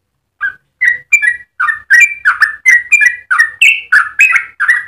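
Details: Yellow-vented bulbul, 'ropel panjang' long rapid singing used to lure or tutor other bulbuls. After two soft opening notes, a fast string of rich, bubbly warbles follows, each slurred up or down, without pause.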